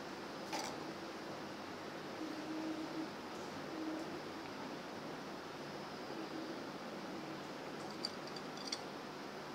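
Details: Steady indoor hum like a running fan fills a small room, with a few faint clicks and no animal voice.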